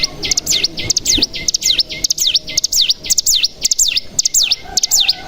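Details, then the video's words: Mountain tailorbird (cigun) lure song used to stimulate caged cigun into singing. Clear V-shaped whistles, each sweeping down then up, repeated about twice a second in a bouncy, varied phrase. "Pancingan Cigun Bahan Agar Bunyi Langsung Ngebren Paling Ampuh"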